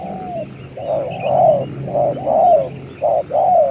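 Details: Spotted dove that keeps cooing for two hours, kept as a decoy for luring: low cooing phrases, a short clipped note followed by a longer falling slurred coo, repeated about once a second over a steady electrical hum.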